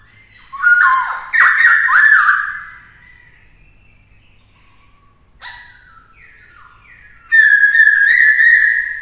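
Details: A laughingthrush, possibly a white-cheeked laughingthrush, is played as a training song of many wild voices for young birds. It sings loud, rich whistled phrases that slur up and down in three bursts separated by brief pauses.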